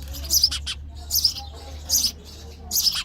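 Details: Nestling sparrows calling for food during feeding: four grouped bursts of thin, high, hissing chirps spaced under a second apart, steady low hum behind.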